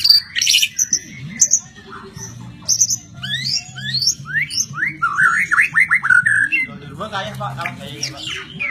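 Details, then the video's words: ["White-rumped shama, a hobbyist's songbird, producing a series of clear upward-sweeping whistles and high chips, then jumbled rapid notes near the end, over a quiet low hum."] "Kicau Mania Burung Murai Batu"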